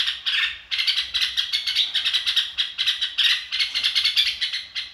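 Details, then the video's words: Red-whiskered bulbul singing in fast, evenly pulsed bursts of bright chirps, about five notes per second, the stream broken by a couple of brief gaps. "chào mào ro kích bổi sung theo"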